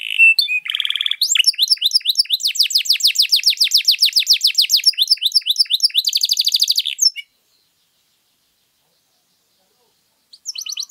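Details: Canary in extended showy song, played to draw out or teach other birds: buzzy opening notes, a long fast trill of falling notes, a dry rattle, then a pause of about three seconds before it resumes.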